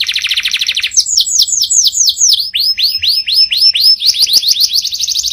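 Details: Canary with a powerful song: a fast buzzy trill, then a series of looping down-slurred whistles, ending in quicker repeated notes.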